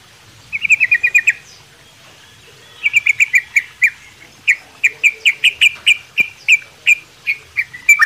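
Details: Morning song of a sooty-headed bulbul kept in a small aviary: a short burst of quick notes, a quiet gap, then a long series of clear, evenly spaced chirped notes with faint high ticking sounds.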